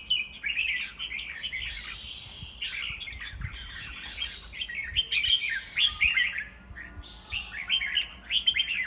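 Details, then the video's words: A home-kept white-rumped shama competing in a singing match: bursts of fast scratchy twitters mixed with long falling whistles, several phrases rising and fading in turn. "Giám khảo chích choè lửa"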